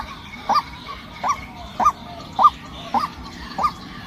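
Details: Female white-breasted waterhen giving short nasal notes at uneven intervals, roughly every half second to second, over faint background noise.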